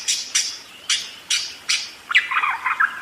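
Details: Budgerigar rolling song: five harsh, noisy chirps in an uneven sequence, followed by a lower, scratchy warbled chatter that wavers in pitch.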